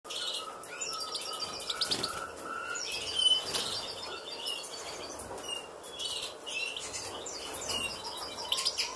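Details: European goldfinches in a cage breeding setup, with chicks almost two weeks old and about to fledge: busy, high tinkling twitters and chirps overlapping almost without pause, with a few lower whistled notes underneath.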